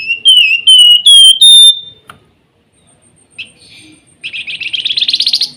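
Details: Flamboyan, singing in the nyiul manner, opens with clear pure whistles sliding down, then a pause, a single chip, and a long buzzy pulsed trill rising toward its end.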